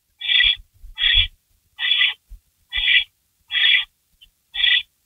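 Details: Barn owl calling during a rabbit delivery at 3:53 AM on May 16, 2012: six harsh, hissing screeches, each about a third of a second long, spaced roughly one second apart, with soft low thumps and scuffling between them.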